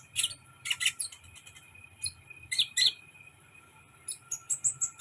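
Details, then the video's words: Sunbird singing in sharp, very high chirps and twittering bursts, spaced irregularly, then a quick run of about six bright repeated notes at the end; a faint low hum runs underneath. "suka suara kolibri"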